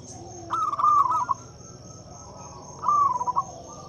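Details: Loud local zebra dove song, offered as a lure for silent doves: two trilled, bubbling coo phrases, the first longer and rolling, the second about two seconds later, over a constant high-pitched background tone.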